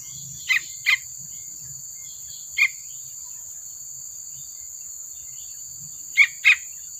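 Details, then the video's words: Yellow-vented bulbul chick, used as a lure to prompt silent bulbuls to call, gives short, harsh, scratchy notes, mostly in quick pairs spaced a few seconds apart, over a constant high insect-like whine. "suara anakan trucukan"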